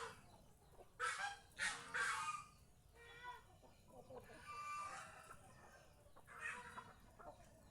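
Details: Geese kept at a house and roaming the surrounding fields, described as happy, call with rough, honking notes: a quick run of three loud blasts early on, then softer, drawn-out honks later.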